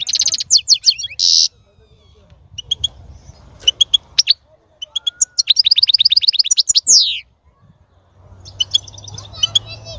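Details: Goldfinch mating-encouragement song, opening with loud buzzy trills, then scattered chirps, a fast rattling run and a rising slide, with quieter twittering and low background rumble toward the end.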